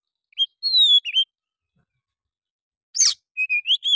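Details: Oriental magpie-robin whose provoking song, mixed with bulbul-like notes, makes other birds open their tails; a few drawn-out whistles, a pause, then a harsh burst and short rising whistles.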